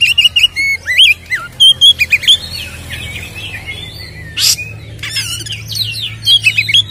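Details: Energetic white-rumped shama song meant to rouse caged birds: clear slurred whistles and rising-falling notes, bursts of fast chirps, one harsh noisy burst midway, faint background hum throughout.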